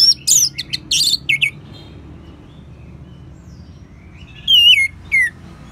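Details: Orange-headed thrush (anis merah), played to draw other birds into full song: a burst of harsh, buzzy notes and chirps, a long quiet gap, then two clear down-slurred whistles.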